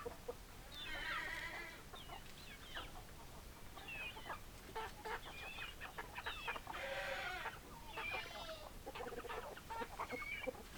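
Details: Several hens clucking together in a busy flock, overlapping bursts of nasal, stuttering clucks and short squawks rising and falling across the clip, with steady low background hum.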